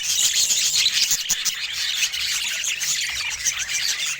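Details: Budgerigar shown looking happy today; unbroken high warbling chatter, quick squeaky notes tumbling over one another without pause.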